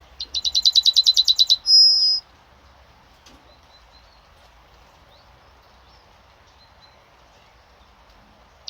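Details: Yellowhammer song recorded 26 May 2026: a rapid run of about a dozen bright, repeated high chips, then one long drawn-out higher note. Quiet background for the remaining seconds, with a few faint distant bird notes.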